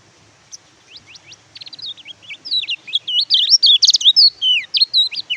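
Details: Oriental white-eye singing as a master recording for reluctant birds: it begins with a few thin high notes, then builds into a loud, rapid stream of looping, slurred whistles and twitters.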